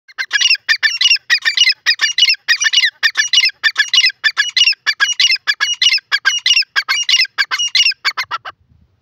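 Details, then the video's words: Francolin, named as yellow or grey francolin (irani teetar), possibly female: a loud, harsh, rapid series of squawking notes repeated about twice per second for eight seconds, ending abruptly. "irani teetar ki awaaz,yellow francolin awaz"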